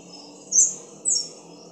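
Black-crowned palm-tanager giving two thin, high, slightly falling chip notes about half a second apart over a faint background hum.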